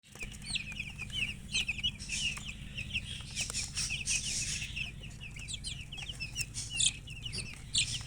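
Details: Chicks peeping in a dense, overlapping chorus: many short high chirps, some rising and some falling, running without pause, with scattered clicks and a low steady hum underneath.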